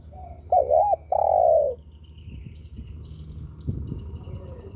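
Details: A spotted dove's provoking coo: a brief level lead-in, a trembling two-part note and a long smooth coo fading off, then several seconds of quiet with faint background bird sounds.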